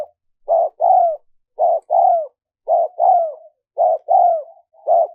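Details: Repeated spotted dove coos, recorded to attract wild doves: a regular run of paired throaty notes, short then longer and gently falling, about one pair per second, nothing else audible.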